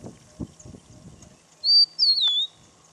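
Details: A rufous-naped lark perched on a branch, displaying and calling, gives two clear, high whistles, a level note then a longer one slurring downward, after some soft rustling and thumps.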